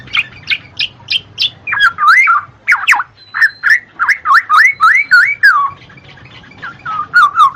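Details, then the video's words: Black-naped oriole song meant to spur lazy birds into song: a row of sharp high chips, then a rapid series of slurred, wavering whistles, ending with softer repeated low phrases. "TERAPI BUAT MANCING BURUNG MALAS BUNYI,SUARA KEPODANG MAS"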